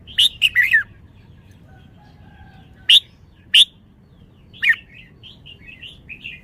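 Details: Red-whiskered bulbul song with a quick cluster of sharp whistled notes at the start, two single loud chirps after a pause, then a falling phrase trailing into soft warbled notes; a faint steady tone sounds midway.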